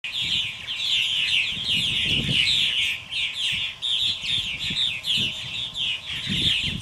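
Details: A flock of purple martins returning to their homes at dusk gives a steady overlapping chorus of bright, gurgling chirps and chatter, with low wind rumbles and thumps underneath.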